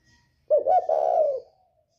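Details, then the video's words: Northern spotted dove, 'còi bổi' voice style, a call for provoking other birds: a single low cooing phrase, a quick two-part opening and then a drawn-out, slightly falling hoarse coo, with quiet surroundings. "Chim cu gáy giọng còi bổi ghét kích chim rất hiệu quả, cu gáy miền bắc"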